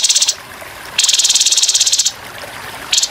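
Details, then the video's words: Rough 'tembakan kasar' song of the grey-headed babbler, recorded for training over murmuring water: a brief high rattle, then a longer buzzy trill of about a second, and another short burst at the end. "TEMBAKAN KASAR BURUNG TEPUS KEPALA ABU"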